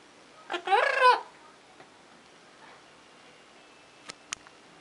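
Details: Pet green-cheeked amazon parrot giving one loud, harsh squawk lasting about half a second. A few faint clicks and taps follow against low room hiss.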